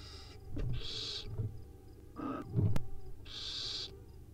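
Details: Wild owlets at dinner time, filmed by a live nest camera: two broad, breathy hissing screeches about half a second long, separated by a rougher burst and some low thumps and rumbling.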